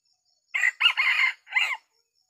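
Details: Decoy rooster of Sumatran red junglefowl crowing to lure wild junglefowl in a small oil palm plantation, a traditional trapping method: one loud harsh crow of about 1.3 seconds, a short opening note, a sustained middle and a separate final note, with a quiet background.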